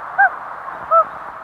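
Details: Common Loon giving hoot calls, short exchanges between individuals when they meet: two brief, soft single notes about three-quarters of a second apart, over a steady background hiss.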